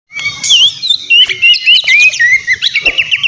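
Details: Loud, busy White-rumped shama song used to provoke a rival: rapid sliding whistles and buzzy trills packed together, with repeated notes around four per second and sharp chattering phrases near the end.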